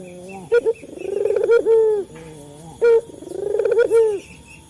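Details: Coos of a male local Barbary dove meant to get captive birds calling: a low soft hum, then crisp short notes leading into pulsing, wavering sustained coos, repeated twice.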